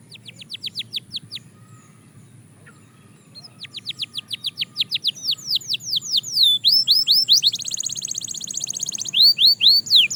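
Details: Belgian canary singing practice: a short run of falling notes, a quiet gap, then repeated sweeps building into a dense high buzzy trill and loud clear descending whistles.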